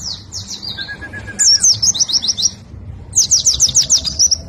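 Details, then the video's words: An Oriental white-eye kept as a fighting songbird, singing in a rapid style, gives two quick bursts of very high, thin twittering notes tumbling downward, with a brief lower whistled series early on over faint background hum. "PLECI FIGHTER SUPER NGENTROK"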